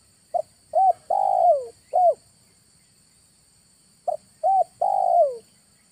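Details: Spotted dove calling for luring wild doves into a trap in August: two identical loud four-note phrases, a short coo, a bent coo, a long falling coo and a final bent coo, repeated about four seconds apart, quiet background.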